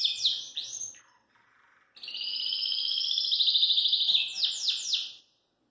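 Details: A Belgian canary out of its cage, singing loose in the house. It opens with quick sweeping whistled notes, pauses briefly, then gives a long, even rolling trill ending in fast descending chirps.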